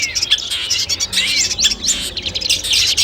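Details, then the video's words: Long-tailed shrike song used as training audio before a competition: rapid chattering high notes with quick down-slurred whistles and buzzy bursts, continuous and varied throughout. "masteran kumpulan suara cendet tes mental sebelum lomba"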